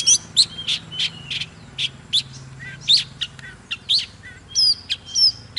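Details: Oriental magpie-robin singing while dancing in 'kích lửa' style, spaced loud chirps and short whistled slurs, some climbing high, with a faint low hum behind.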